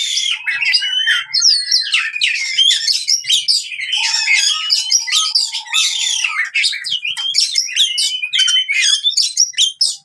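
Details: Oriental magpie-robin in fighting song, for rousing silent birds: rapid mixed chirps, sharp rising and falling whistles and buzzy notes, with short flat low whistles repeated midway and a fast choppy stutter at the end.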